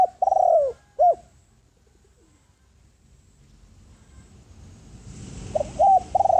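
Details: Decoy spotted dove calling to lure wild doves: a long falling coo and a short coo, a quiet gap with faint low rumbling, then another run of short and drawn-out coos.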